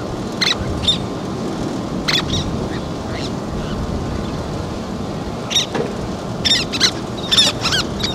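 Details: Least terns feeding and tending chicks on a sand bar; bursts of high, harsh squeaky notes come in clusters, separated by pauses, over a constant low wind-like rumble.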